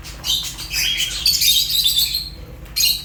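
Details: Fischer's lovebirds giving a run of high, sharp chirps and squeaky twitters, several birds overlapping, ending with a short gap and a final burst, faint low hum underneath.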